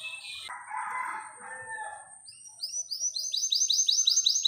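A canary breaks into a fast, high rolling trill of repeated bright notes, about three or four per second, after a rooster's crow opens the clip.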